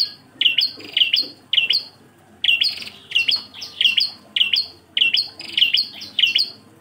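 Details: Bar-winged prinia singing in engkel style: high, sharp chirped couplets delivered in bursts. A short lull around the middle is followed by a fresh series of rapid, ringing phrases.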